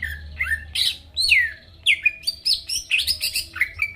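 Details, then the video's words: Lure song of a greater green leafbird meant to trigger rivals into singing: dense, varied whistles and sharp downslurred notes with some harsh, squawky phrases, tumbling quickly one after another. "PANCINGAN CUCAK IJO GACOR BUKA PARUH BIKIN LAWAN CEPAT ON LANGSUNG EMOSI DENGAR SUARA INI"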